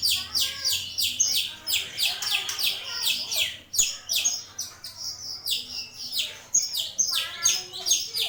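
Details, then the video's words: Starling song used as a master recording for training other birds: a dense, fast stream of high, buzzy chirps and sharp whistled notes in quick, uneven bursts, with short pauses and no other clear sounds. "Suara Masteran burung jalak"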